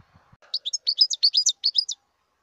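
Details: Fast, sparkling twitter from a wild European goldfinch: a run of about a dozen clear, high, slurred chirps in a single phrase after a few soft low knocks.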